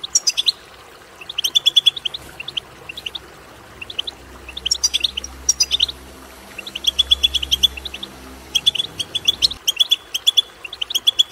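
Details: Goldfinch twitter played to urge another goldfinch to sing: repeated phrases of crisp chirps and jingling trills every second or two, with short gaps and a low hum beneath.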